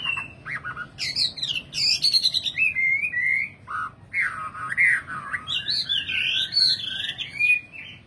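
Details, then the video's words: Nightingale in full song: sharp clicks and high rattles, then rich fluty gurgling phrases that dip and rise, ending in looping warbled whistles, over a low steady background hum. "Singing nightingale. amazing bird song"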